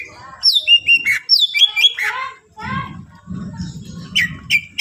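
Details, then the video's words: Greater green leafbird song aimed at provoking rival leafbirds: loud descending whistles and harmonic slurred phrases, then softer notes over a low background murmur, and two bright whistles at the close. "cucak ijo gacor full isian mewah rayu c ijo lain bunyi"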